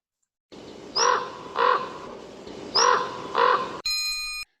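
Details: A Common Raven, Lake Tahoe area, gives four harsh, hoarse croaks in two pairs, lower-pitched than a crow's caw as the larger bird, over steady hiss, ending with a brief bell-like ringing tone.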